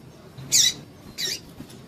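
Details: Female double-collared seedeater call used to stir up males for singing contests; two short, high, slightly rasping chips about two-thirds of a second apart, with light background hiss.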